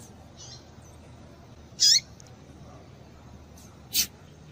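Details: Calling female papa-capim, meant to excite males into song: one bright, high, falling chip, then a second shorter sharp note about two seconds later, with faint softer notes over low hiss.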